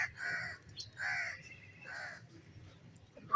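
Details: Green parrot kept as a pet, playing and interacting with its owner, gives three hoarse, rasping squawks spaced widely apart, with a sharp whistle cutting in at the very end.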